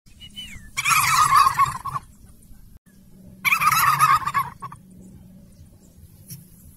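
A turkey gives two loud, rapid, rattling gobbles about two seconds apart, each lasting about a second, with a low hum in the background.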